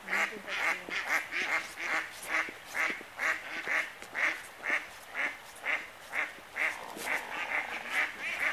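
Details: An excited hooded merganser swimming along while calling, giving harsh, raspy notes repeated steadily about twice a second, with a faint background hiss.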